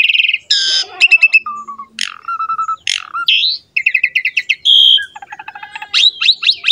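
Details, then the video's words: Lure song of a chatty champion Asian pied starling, meant to provoke other birds to sing: a jumble of harsh chatters, low steady whistles, rising swoops and fast clicking trills, with one brief pause. "MASTERAN DAN PANCINGAN BURUNG JALAK SUREN GACOR JUARA"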